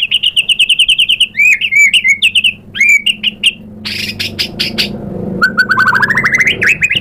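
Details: White-rumped shama: a quick repeated trill of clear notes, looping whistles, a burst of buzzy chatter, then a rising series of rapid whistled notes.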